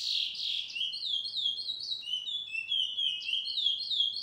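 A chestnut-bellied seed-finch sings a fast, continuous warble of sweet, clear whistled slurs, rising and falling without a break. Only the bird is heard.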